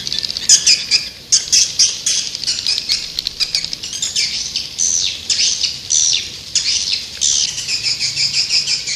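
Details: Swiftlet lure sound: fast, high, rasping twitters in irregular bursts, with short descending buzzy notes scattered throughout.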